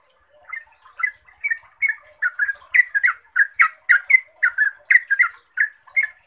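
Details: Yellow-vented bulbul, a lure recording meant to make other bulbuls answer, giving a lively run of bubbly, liquid notes around mid pitch, each short phrase rising and falling, repeated roughly twice a second with a faint high hiss behind.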